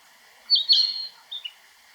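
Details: Narcissus flycatcher singing in Niigata Prefecture, Japan: one brief phrase of bright, high whistled notes sliding down, then a short lower two-note tail.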